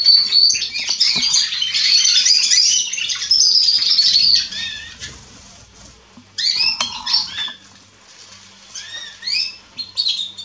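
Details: Young Atlantic canaries and domestic canaries from spring 2020 singing in Remscheid, Germany: bright rapid trills and twittering phrases, a burst of song then a pause before further chirpy, rolling notes; several birds overlap, with a faint steady hum beneath.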